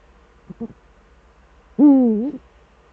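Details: Brief Eurasian eagle-owl duet moment, male at the nest, Eifel, 13 December 2013 at 17:25: two short soft notes, then a single loud, sustained harmonic call lasting about half a second that sags and lifts.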